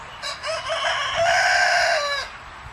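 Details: Turkey kept on a farm outside Edmonton, Canada, giving a loud, harsh, rattling call of about two seconds that swells in the middle and cuts off abruptly.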